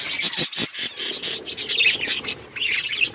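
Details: Budgerigars chirping in a busy run of short, high scratchy notes and warbles, with brief pauses between bursts and a few clearer whistled notes near the end.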